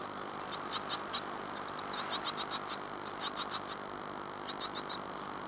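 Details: Great tit nestlings inside a nest box in Falmouth, UK, 14 days after hatching on 25 April 2011. Short, very high squeaky notes come in rapid uneven bursts of three to six, with brief pauses between runs.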